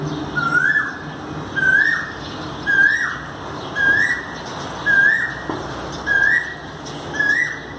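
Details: Asian koel recorded 5 May 2019, seven evenly spaced rising whistles about every 1.1 seconds, each rising and ending higher, with faint high chirping from other birds above.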